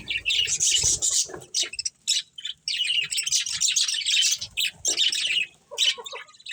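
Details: Breeding pair of budgerigars within a colony, producing long runs of busy, high, buzzy warbling chirps with brief silences between bursts and faint scratching sounds.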